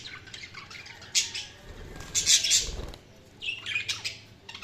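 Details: Budgerigar chirping in short, squawky high bursts, the loudest a rough, buzzy chatter mid-way, with quieter scratchy twitters between and a soft low thump.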